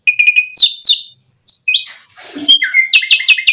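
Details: Song of an Asian pied starling, played to provoke other starlings to sing: two descending whistled slurs, a pause, then a raspy scratchy section and a string of short repeated chattering notes.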